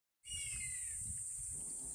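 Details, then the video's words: A common buzzard at a pond cries continuously, as if threatening something: a single drawn-out, thin mewing cry sliding gently downward, over steady high hiss and low rumbling background noise. "As soon as I've arrived at the pond, a common buzzard greets me"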